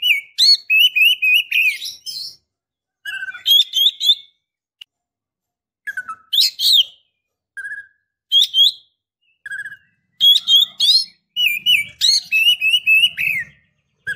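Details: Female white-rumped shama in breeding condition calling a male: long series of sharp, loud whistled chirps repeated quickly, with short trilled low notes and pauses between bursts, faint low rumble in the background.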